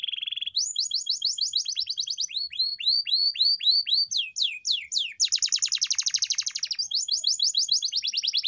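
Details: Canary singing for pet bird training: a short steady tone, then varied phrases of curved whistles, spaced sweeping notes and a fast, dense trill.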